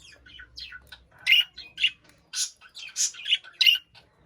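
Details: Chirping budgerigar kept in a cage: sharp high squawky chirps in separated bursts, some louder squeaks toward the end, quiet low rumble at the start.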